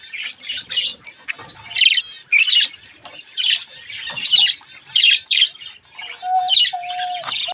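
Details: Pet budgie chicks playing with a mirror keep up rapid scratchy chirping and rasping squawks in short bursts, ending with a couple of soft, level whistles.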